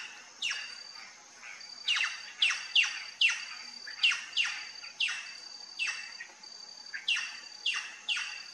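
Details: Plush-crested jay at a feeder: a run of harsh, scratchy calls, roughly one or two a second, each a brief noisy downward burst, over a constant high-pitched buzzing tone in the background.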